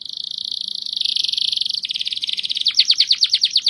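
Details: Singing canary delivering a long rapid trill that drops slightly in pitch midway, then breaks into faster, louder upswept notes repeated about three per second toward the end.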